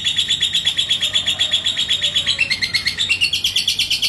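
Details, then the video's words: Yellow 'labet' lovebird in Indonesia, provoked by a rival bird into ngekek: a long, fast chattering run of sharp notes, about three per second, high and steady, stepping slightly lower near the end. "si LABET KONENG Burung GACOR ke Pancing NGEKEK"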